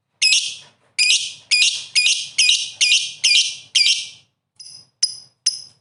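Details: Energetic lovebird song (gacor): a series of loud, harsh, high chirps repeated about twice per second, each fading quickly, ending in thinner, sharper squeaks.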